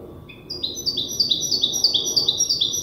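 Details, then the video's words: Young European goldfinch hybrid still memorising its song, tutored by an older hybrid. After a brief soft note, a series of bright, clear high notes repeats quickly, each a short level whistle with a quick dip, forming a steady trilling phrase. "تغريد هجين الحسون لازال في مرحلة الحفظ"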